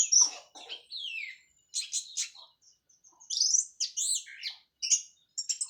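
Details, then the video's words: Orange-headed thrush, Cililin local bird recently finished molting, singing teler: choppy bursts of high chattering and slurred whistled notes with brief pauses between phrases. "KICAU ANIS MERAH PLONG + TELER LOKAL CILILIN"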